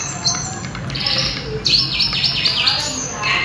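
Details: Sulingan, or tledekan gunung, giving clear melodious song: high whistled notes in a run of short slurred phrases, over a faint low hum.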